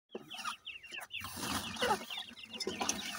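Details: Grey francolin chicks while feeding: a rapid series of short, thin peeps, each sliding downward, repeated several times a second, with soft rustling and clicking in the background.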